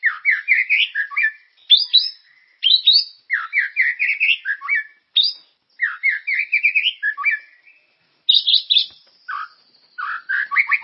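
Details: White-rumped shama (murai) singing a lively lure song to stimulate caged birds: long series of rising whistled phrases, repeated in bursts of quick notes, with short pauses and a varied, energetic, fluty delivery.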